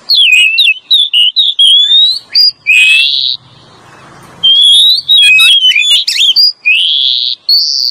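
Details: Oriental magpie-robin male and female lure song: loud clear whistled phrases, rising and falling slides and short chirps in quick bursts, with a pause of about a second midway before the whistling resumes.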